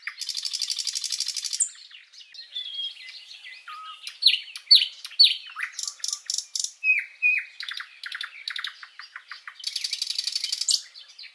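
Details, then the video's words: Common nightingale singing a varied song. It opens with a fast buzzy rattle of repeated notes, moves through rising and falling whistled phrases and sharp clicks, and ends with another rapid churring burst. "Kicau Burung | Sikatan Londo | Nightingale | Bulbul | Luscinia Megarhynchos"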